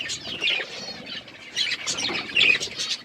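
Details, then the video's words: Budgies eating seeds, giving bright overlapping chirps and squeaky warbles in a continuous busy stream, with a brief thin whistle-like note and soft flutters. "Birds eating seeds budgies chirping sounds"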